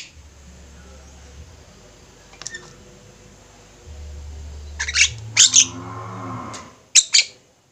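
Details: Javan myna group calling, meant as a master recording for training birds: a quiet start, then clustered harsh, buzzy squawks around the middle and a final pair of sharp rasping notes, with a low hum.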